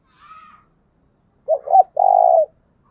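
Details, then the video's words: Spotted dove calling in the 'thúc bổi' style used to stir a decoy. A faint higher whistle comes first, then two quick hoarse notes and a long, rolling, low coo lasting about half a second. "tiếng cu gáy thúc bổi căng lửa nhanh nổi"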